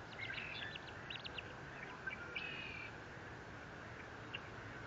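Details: Eagle at a nest watched by a live camera at Fort Saint Vrain on 30 April 2021; a quick series of thin, high, harmonic chirps and short squeals in the first three seconds, then one late note, over steady background hiss and hum.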